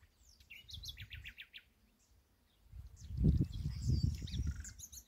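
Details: A nightingale in an ash tree delivers a quick series of repeated rising whistled notes, then a faint high trill, as a loud low rumbling noise builds in the second half.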